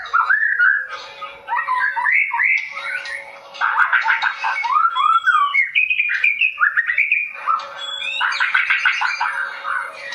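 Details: Varied song of a white-rumped shama, described as dancing: rich looping whistles, quick slurred phrases and chattering notes over about ten seconds, with short pauses between phrases and a faint steady hum.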